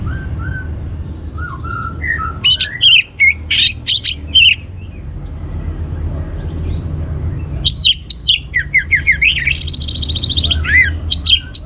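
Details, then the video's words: Orange-headed thrush song for coaxing other birds to sing: soft low whistles at first, then bursts of loud, varied, chattering and looping notes in two separate spells, with a low hum in the background. "ANIS MERAH Cor Suara Penggoda"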